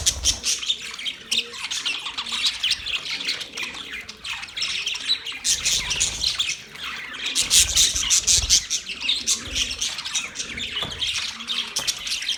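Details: Budgerigars, Australian parrots, chirp and warble continuously in a lively high-pitched chatter of squeaks and twitters, with busier, louder bursts in the middle and low thuds here and there.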